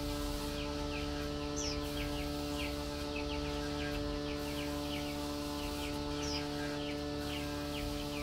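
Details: Female Chinese hwamei calling to the male while being fed mealworms: short, quick downslurred chirps repeated steadily throughout, with a couple of higher sharp notes, over a constant mechanical hum.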